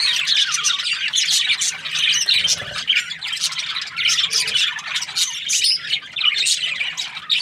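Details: Many budgerigars from breeding pairs chattering at once, a busy stream of shrill chirps, buzzy squawks and twittering notes, steady throughout over a soft low hum.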